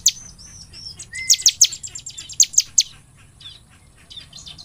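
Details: Ciblek (bar-winged prinia) singing gacor nembak for luring: a few thin, level high whistles, then a short burst of rapid sharp chips, fading to quieter twittering.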